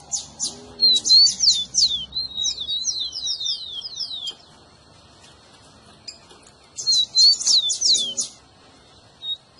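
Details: A rufous-collared sparrow sings two phrases separated by a pause, each a rapid chain of high, down-slurred whistles with some buzzy overtones. The recording is meant to get a pet bird singing.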